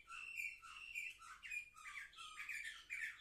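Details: Seven-month-old canaries singing indoors, recorded in November 2023: a chattering, rolling warble of repeated slurred phrases with buzzy trills, steady and unbroken.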